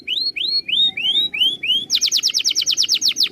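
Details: Canary master song for training birds: a series of six rising whistled slurs, then a loud rapid run of sharp falling notes repeated several times per second.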